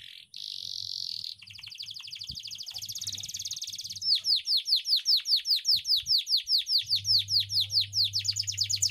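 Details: Long ngeroll song of a canary, meant for training young or reluctant canaries: a buzzy high trill leads into a rapid rolling series, then loud clear downswept notes repeated about three per second; faint low hum late.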